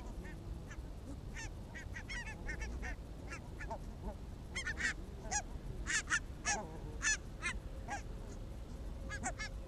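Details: Barnacle geese on an evening walk in Arabia, Helsinki area, on 1 October 2014: many short, yelping honks from a flock, overlapping and irregular, over a steady low background rumble.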